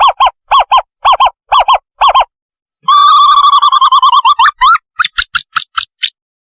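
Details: Owl lure call for catching owls. Paired arched notes repeat, then give way to a fast wavering trill that breaks into rising notes and ends with a string of higher, shorter calls.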